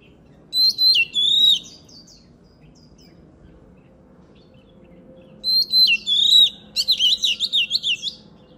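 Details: Oriental magpie-robin in full song, used for voice training. Loud phrases of looping, warbled whistles arrive in two bursts separated by a quiet pause, and the second burst ends in fast rhythmic twittering.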